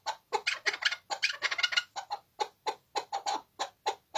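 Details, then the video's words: Chukar partridge calling with harsh, ringing chuck notes, first crowded into a fast cluster, then spaced out to roughly three per second in an even, rhythmic series. "Kekliğin ciğerine söylüyor."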